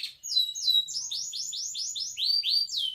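A canary sings a fast run of high, bright, downslurred whistles, about four notes a second, ending in a sweeping higher phrase.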